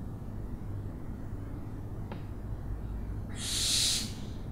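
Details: Quiet stretch with a faint click, then an owl's short, harsh hissing screech near the end.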